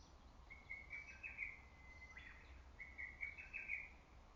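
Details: Lesser cuckoo ringing through forest and valley in early summer; two quick whistled phrases of several sharp notes each, the first trailing into a thin sustained tone, with a brief fainter call between and steady background hiss.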